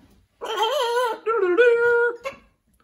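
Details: Blue-and-yellow macaw at a parrot rescue, adapting to a new flock, giving a tonal, voice-like utterance: two smooth harmonic phrases, the first wavering, the second held level, then a short clipped ending, in a quiet room.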